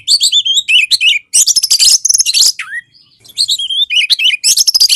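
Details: Oriental magpie-robin (kacer), an Indonesian songbird, singing as a lure to trigger lazy birds into song: loud, rich run of varied whistles, trills and slurred notes, with a short pause near the middle before the song resumes.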